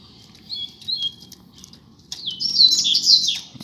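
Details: A pair of Double-collared seedeaters kept outdoors, singing vigorously: several clear whistled notes wavering up and down, then a loud, fast, jumbled twittering run of high notes.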